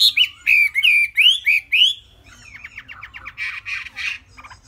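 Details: Chinese hwamei, three months old and kept in a cage, delivers a series of clear rising-and-falling whistles about every quarter second, then softer scratchy chatter with a few louder rasping notes.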